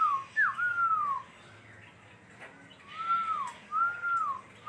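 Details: Laughingthrush singing clear whistled phrases: a short rising note, then long level whistles that slur downward, repeated in two bursts separated by a quiet pause, with faint room noise behind.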